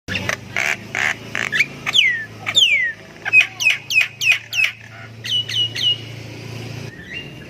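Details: Javan myna song used to lure quiet birds into singing; harsh rasping bursts open, followed by a rapid series of sharp, whistled downslurred notes, ending in a brief rising whistle.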